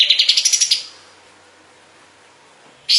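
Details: Kapas tembak bulbul recorded as a training master for songbirds like cendet, cucak ijo and murai: a rapid high trill of about ten crisp notes in under a second, silence, then an abrupt loud note starting at the end.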